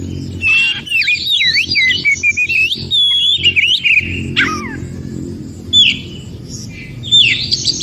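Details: Wild Oriental magpie-robin in the forest, song played to coax silent birds into singing: a quick run of twisting whistled notes, then a descending slurred phrase and scattered short whistles separated by quieter gaps with low hum.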